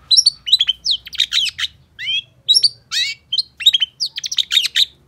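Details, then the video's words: Long-tailed shrike in full song, used as a lure for silent shrikes: dense rapid medley of sliding whistles, clicky chatters and buzzy rasping notes, varied phrases tumbling without pause, clear and close with quiet background. "Pancingan Cendet Gacor Cocok Buat Masteran Cendet Macet Agar BUNYI"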